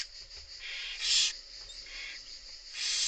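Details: Barn owl chicks fed by their mother give softer, blurred hissing begging sounds, one louder rasp in the middle and another building at the end.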